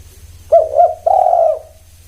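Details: Spotted dove giving one cooing phrase: two short, hooked coos followed by a longer, steady, mellow coo that trails off, over a faint low hum.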